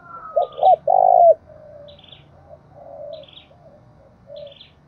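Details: Spotted dove used as a decoy gives one full coo phrase, two clipped hollow notes and a longer falling coo, then softer, more distant coos and faint high chirps.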